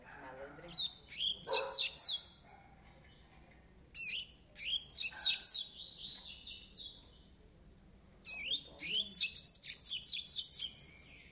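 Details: Nine-month-old double-collared seedeater sings three bursts of rapid, high, twittering notes, each about two seconds long, separated by short pauses; a faint lower sound under the first phrase.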